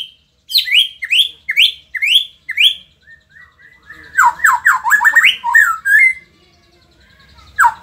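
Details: Indonesian white-rumped shama, a lively performing bird, giving five loud downslurred whistles spaced about half a second apart, then a dense burst of fast warbling phrases, a short gap, and one last sharp note.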